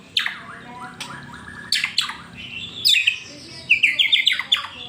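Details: Pet-triggering song of a white-rumped shama: loud sharp downward-swept notes every second or so, then a fast chattering run of high whistled notes.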